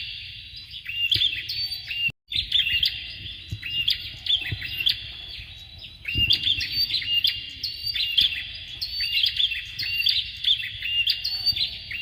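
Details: A male and female Bar-winged prinia (ciblek), kept as tutor birds for training songbirds, chatter in a dense run of sharp, high chips and quick trills, phrases tumbling one after another with barely a pause.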